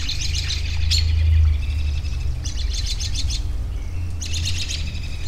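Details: Birds give bursts of rapid high chirps, clustered in three loose groups with short pauses between them, over a constant low rumbling hum.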